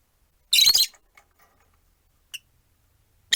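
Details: Rosy-faced lovebirds, four kept together in a cage by a window, one sitting on a perch; a single loud, harsh, screechy chirp lasting under half a second, then two brief faint chirps after long quiet gaps.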